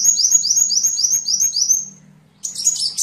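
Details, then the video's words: Sunbird singing in songbird-training material: about nine quick, rising, whistled notes in a row, a brief pause, then a burst of jumbled, very high twittering. "Masteran burung Kolibri"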